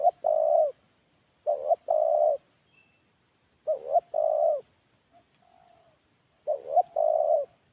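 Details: Moulting decoy spotted dove calling solo as a lure: four repeated phrases, each a quick quavering two-note start and a long mellow coo, with a soft low coo between them and a constant faint high-pitched hum.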